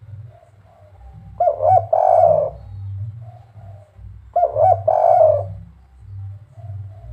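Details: Spotted dove in the kuk 3 cooing style: two full phrases about three seconds apart, each a couple of quick hollow notes flowing into a longer, purring coo, over a low steady hum.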